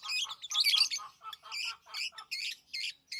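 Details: Lovebirds kept as pets squawk and chatter in a rapid series of harsh, nasal, buzzy notes, about three per second, louder and lower-edged than plain chirps.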